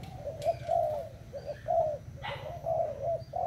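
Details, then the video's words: Spotted dove of Thai type recorded 25 August 2018, giving soft, low cooing phrases of several hollow notes, repeated about once a second with brief gaps, and a faint high chirp from another bird. "cu gáy thailand"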